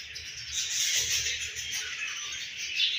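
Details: Home-bred baby budgerigar giving a continuous, busy stream of high chirps and warbling chatter that runs without pause for about three seconds, with a faint low hum underneath.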